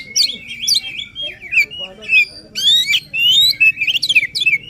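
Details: Oriental magpie-robin singing with high intensity, meant to get a reluctant bird singing; clear sliding whistles and sharp upward sweeps come in separate bursts, some phrases repeated, over faint low hum.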